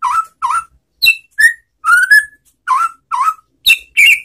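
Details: White-rumped shama (murai batu) lure song for prompting other shamas to answer: clear whistled notes, some dipping and some rising, spaced about half a second apart, with a few higher sharp notes.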